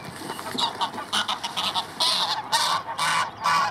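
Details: Loud, close chorus of Arctic geese, a flock of dozens with young chicks amid white flowers, overlapping harsh honks in quick uneven bursts, several calls a second.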